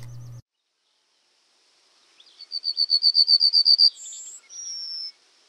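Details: Yellowhammer song, an ascending rhythm likened to "a little bit of bread and no cheese": a quick, even run of about a dozen thin, high notes, then long drawn-out notes at the end. A brief low sound comes just before.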